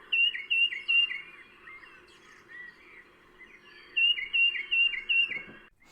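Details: A Tufted Titmouse calls along the Ohio and Erie Canal towpath trail in Ohio in April 2020: two runs of about five clear, whistled, slightly falling notes, with a pause between them and a faint background hum.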